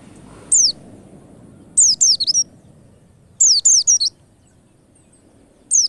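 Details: A white-eye gives thin, very high, sharply falling notes, alone or in quick bursts of four, over faint low background noise; used as a lure to make white-eyes sing readily.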